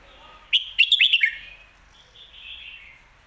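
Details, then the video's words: Red-whiskered bulbul, a caged professional competition bird, gives a lively lak wai or mae bot phrase of five fast, sliding whistled notes, followed by a quieter, trailing warble. "ลากหวาย+แม่บท สลับวางเพลงชัดๆ นกแข่งอาชีพ"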